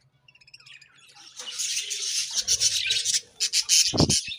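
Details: Morning budgie chirping that starts with soft ticks and builds into a loud, busy, scratchy warble of quick chirps, with a brief low thud.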